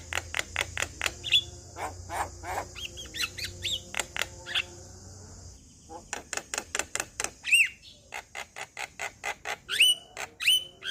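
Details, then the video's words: A male Javan myna sings, said to trigger song from other Javan mynas: long trains of sharp clicking ticks with occasional squeaky upslurred whistles; a steady high hiss runs through the first half. "Semua Jalak Kebo Balak LAngsung Bunyi Dengar Kicauan Jalak Kebo Jantan Ini"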